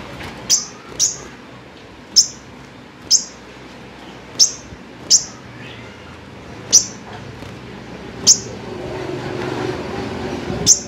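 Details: Five-coloured sunbird kept in captivity giving short, sharp, high chips one at a time, spaced about a second apart, irregular, with light background noise between notes.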